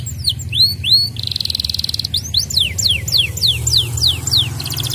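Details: Canary song played as a lure to get other birds singing: a lively run of sweeping descending whistled notes, a rapid buzzy pulsed trill near the start, then a series of quick downslurred whistles ending in a short trill.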